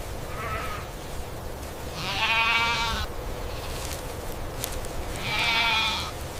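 An Indian peafowl gives two loud, nasal, wailing calls about three seconds apart, after a fainter one at the start, over a low steady background rumble.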